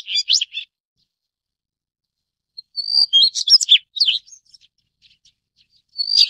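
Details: Daurian redstart (Phoenicurus auroreus) giving thin, high-pitched calls in short clusters of quick notes, separated by pauses of a second or two.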